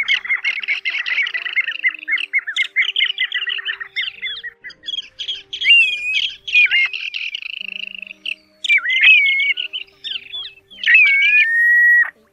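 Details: Mixed plovers on a recording for night net trapping, August 2024, give a long run of rapid choppy notes, then scattered slurred whistles with sharp dips, closing on a sustained level whistle.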